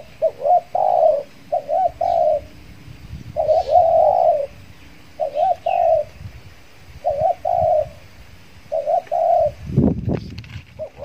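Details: Trained spotted dove decoy in Kepri calling wild doves after its moult; repeated wavering coo phrases with long coos, some overlapping, a brief rustle or thump near the end, faint bird chirps.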